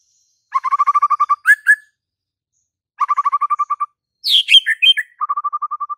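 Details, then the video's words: White-rumped shama song in clean, quiet surroundings: a quick string of identical repeated notes ending in two upslurred whistles, a pause, another repeated-note run, then a bright high tumbling phrase that drops into steady staccato notes. "JADIKAN MURAI BATU BISU SEKETIKA NYAUT DAN GACOR DALAM HITUNGAN DETIK"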